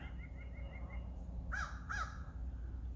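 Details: Crow spotted in a tree during an outdoor birdwatching walk. It gives two harsh, rasping caws about half a second apart, after a faint run of short, even notes from another bird. A steady low rumble of wind runs throughout.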